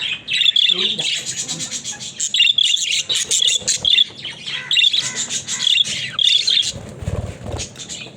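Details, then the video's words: Pet budgerigars in daily life, described as talking: dense, scratchy high warbling chatter in bursts with short pauses, bright chirps repeating, a few low thumps near the end. "Funny Talking Budgies"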